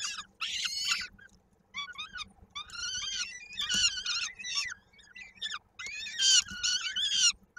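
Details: Peregrine falcon at a nest in Koszalin, Poland, 16 May 2022, during feeding, when a chick's foot got stuck in a beak: bursts of harsh, harmonic wailing calls, sometimes rising then falling, in groups separated by short pauses.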